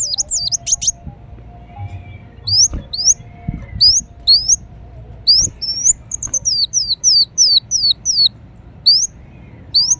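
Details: Singing kolibri wulung (ruby-cheeked sunbird) from Indonesia as lure and therapy sound: thin, piercing high notes, each a quick curling slur, delivered in evenly spaced strings after a brief pause, over a quiet faint hum.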